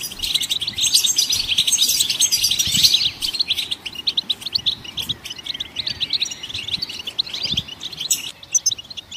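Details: Goldfinches singing to stimulate other songbirds to sing: a dense, continuous twittering of high, fast chirps and trills, briefly thinning near the end, with faint low thumps beneath.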